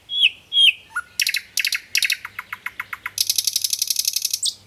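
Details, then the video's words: A nightingale sings a varied phrase: two clear whistles, then rapid buzzy trills and a run of sharp repeated notes ending in a fast rattling trill. "Amazing singing nightingale voice"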